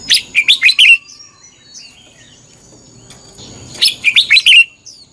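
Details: A red-whiskered bulbul gives competitive fighting song, used as a lure to train other birds: two quick bursts of five or so bright, warbled whistles, each phrase under a second, separated by a short pause.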